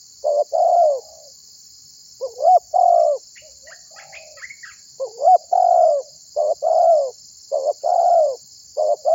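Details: Spotted dove, a calling bird for luring others: repeated cooing phrases, each a quick upswept note followed by a longer falling coo, with brief faint chirps from other small birds in the gaps.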